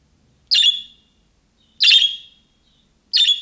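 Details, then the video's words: Young budgerigar-style calling used to get pet budgies to answer: three loud, raspy squawks, each with a drawn-out ringing tail, spaced about one and a half seconds apart against silence. "MUHABBET KUŞU SESİ Kuşunuz Bu sese Karşılık Verecek Kuş Sesi"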